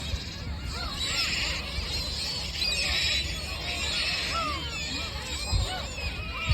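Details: Many seagulls at the sea call over one another in a constant chorus of short, rising and falling mewing cries, with wind and low surf beneath.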